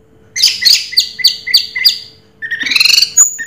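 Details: Brief Raja Teler phrase from an orange-headed thrush: five quick downslurred whistles in a row, a pause, then a dense buzzy chattering burst ending in a thin high note, with a background hum.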